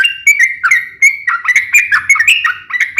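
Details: A sooty-headed bulbul sings its sharp fighting song, meant to stir other bulbuls to reply. A few sustained bright whistles lead into quicker bubbling notes that dip and rise, with a faint low rumble beneath.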